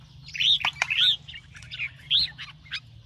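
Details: Red-whiskered bulbul, morning song of a bird trained for singing competition, in the rapid 'ché' style: short liquid warbled phrases with rising and falling whistled notes, separated by brief pauses; low steady hum underneath.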